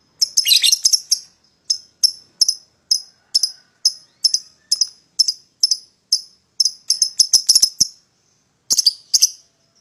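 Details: Young lovebird singing to call a rival into answering: a steady series of sharp, high, clipped chirps roughly every half second, opening with a dense shrill burst and ending in a quick double chirp after a pause.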